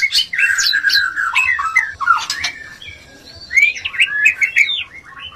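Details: White-rumped shama mating sound, played to raise a low breeding urge in another shama: loud, varied whistled and chattering phrases with rising and falling slurs, a pause near three seconds, then rapid twittering notes.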